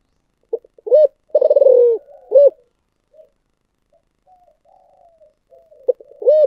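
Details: Spotted dove giving 'giọng thổ sấm' style cooing: a stuttered lead-in, a ringing coo, a long vibrating descending coo and a short coo, then quiet low murmurs before a fresh phrase begins.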